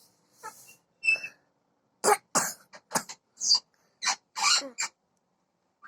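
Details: Parrot talking: a run of short, harsh, breathy speech-like bursts, roughly ten syllables over six seconds, separated by brief silences.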